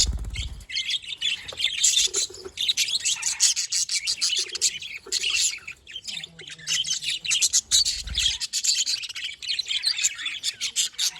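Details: Several happy budgerigars on 18 October 2023 keep up continuous busy chatter, a flock-like mix of high squawky chirps and warbles, with a couple of dull low thuds.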